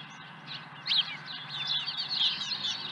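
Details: Osprey calling at the nest after bringing in an early fish, ranch, 30 April 2020, about 7 a.m.: soft high chirps build into a quick run of shrill, slurred whistled notes, with a low steady hum behind.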